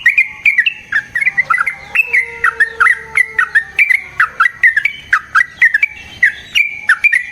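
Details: Trucukan fighting song with long rolls, meant to make other yellow-vented bulbuls answer: fast clear chattering notes repeated steadily, with a faint steady low tone behind part of the phrase.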